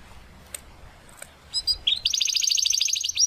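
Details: Belgian canary training song for young and adult birds: after quiet clicks, a couple of short notes lead into a fast, bright, high trill repeated evenly.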